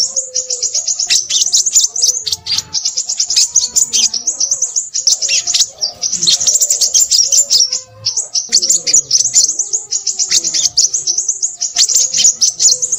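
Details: Excited, busy song of a crimson sunbird. Rapid high-pitched twittering runs almost without pause for the whole stretch, with brief dips. Faint low warbling notes sound softly underneath.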